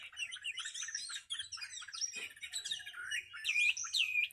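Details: Captive Chinese hwamei, fan-tailed and large-bodied, singing competition bird: a dense stream of warbled, looping whistles and quick slurred notes, with clearer swooping upslurs standing out near the end; a faint low knock is heard briefly.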